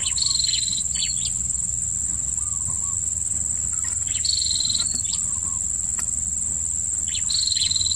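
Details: Blue-crowned hanging parrot at a new trapping site, with short, high, thin squeaky chirps and brief level whistled notes repeated irregularly over a steady high insect drone, with faint low rumbling background.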